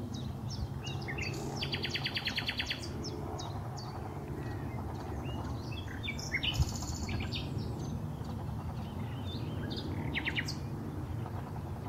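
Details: Nightingale song from Highnam Woods, Gloucestershire, recorded 20 May 2012: fast rattling series of repeated notes and varied whistled and chirping phrases across twelve seconds, with constant low-pitched background noise.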